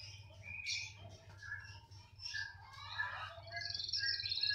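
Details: Canary in persistent song regardless of placement: a jumble of varied whistles, chirps and short warbled phrases at shifting pitches, growing louder toward the end, with a constant low hum beneath.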